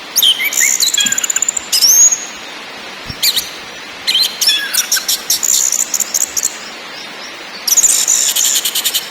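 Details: Orange-headed thrush, locally anis merah, singing in ngakrak, ngeplong and nyiul styles: bursts of fast high rattles and stuttering chips mixed with descending whistled slurs, with short pauses between phrases.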